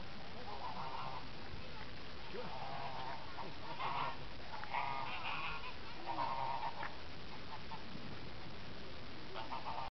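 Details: French geese recorded in 2015, honking repeatedly: nasal, harmonic honks in short bursts at irregular intervals, some doubled, over a constant low rumble and background hiss.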